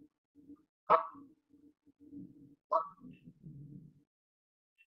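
Canada goose giving loud, harsh single honks about every two seconds, with low, soft murmuring between them.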